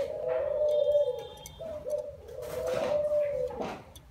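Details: Young spotted dove (cu gáy non) giving low, hollow cooing held on one steady pitch, with a short break and a dip near the middle, over soft background hiss and a faint high whine.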